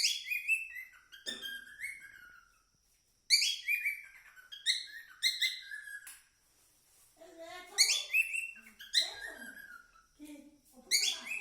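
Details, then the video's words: Cockatiel song of repeated chirpy whistled bursts and upward-sliding notes, interspersed with grating chatter and soft low warbles, pausing briefly before resuming in quick phrases. "Cocktail Bird original sound"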